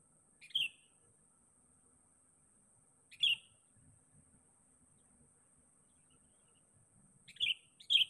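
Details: Lure recording of a sooty-headed bulbul calling out for a rival: single sharp chirps separated by long pauses of almost three seconds, ending with a quick pair, against a faint constant high whine.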